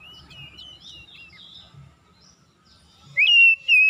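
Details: Oriental magpie-robin in a morning lure recording for hesitant singers. Soft, distant wavering whistles and faint low noise fill most of the moment before a sudden loud rising whistle and a steady note close it.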